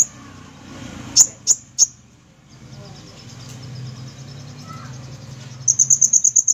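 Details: Olive-backed sunbird (kolibri ninja) singing: three loud, sharp, very high notes, then a quiet stretch under a low background hum, ending with a quick, even trill of thin, high pips.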